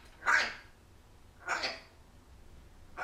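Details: African grey parrot talking, mimicking phrases such as "hi", "don't you bite", "can i have a kiss", "goodbye" and "want a scratch"; two short, breathy, voice-like utterances about a second apart, then the start of a third, in a quiet room.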